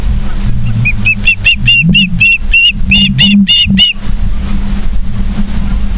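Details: Ospreys at their nest in Charlo, Montana, late August 2023, morning; a fast burst of shrill repeated chirps for about three seconds, then quiet apart from a low droning background.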